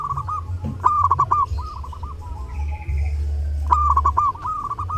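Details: Perkutut, or zebra dove, singing at Lebaran: two phrases of fast rolling coos broken into clipped repeated notes, separated by a pause with faint background sounds and a low constant hum.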